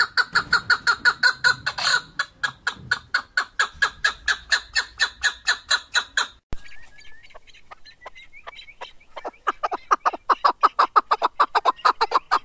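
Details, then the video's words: Male mountain partridge, the chukar or keklik, 2021: a long, regular series of loud chuk-chuk notes, a brief pause with a rising whistled note, then the rhythmic chukking resumes and builds. "Голос Куропатка как поёт Горная Куропатка Кеклик 2021 Садои Нар кабки Шикори 2021 Keklik Partridge"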